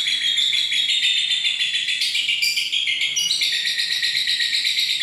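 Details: Lovebird giving a long, unbroken, shrill twittering chatter: dense high-pitched notes pour out continuously at a steady loud level, with slight shifts in pitch as phrases change.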